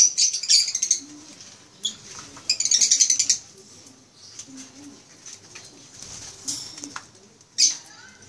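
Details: Captive eye-ring African lovebirds in a small aviary in the Philippines, May 17, 2015, give dense bursts of harsh, high chirps in rapid clusters, then a quieter stretch with scattered shrill notes and a final sharp squeak over a low hum.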